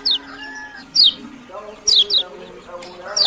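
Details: Lombok lemon-bellied white-eye, or kecial kuning, giving brisk, high, downward-slurred notes singly and in quick pairs, with lower tonal background sounds rising and falling.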